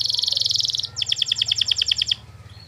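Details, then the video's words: Canary training song to get other canaries singing back: a dense buzzy high trill followed by a slower series of about a dozen sharp clipped pulses, then near silence, with low hum beneath. "masteran burung kenari durasi panjang"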